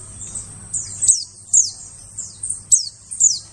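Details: White-eye calls used as a lure to attract birds in the forest: thin, very high notes sweeping sharply downward, given in short bursts about every half second, with a faint low hum underneath.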